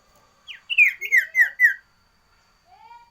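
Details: Sooty-headed bulbul (sirtu) singing a varied song, loud and busy: a phrase of five or six clear whistled notes, each sliding downward, rapid and even, followed by silence and a soft low whistle.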